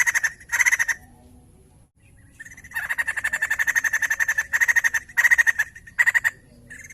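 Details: Energetic white-crested laughingthrush chatter, played to encourage other laughingthrushes to sing: rapid pulsed rattles in bursts of varying length, with one long run in the middle and short stuttering bursts after it.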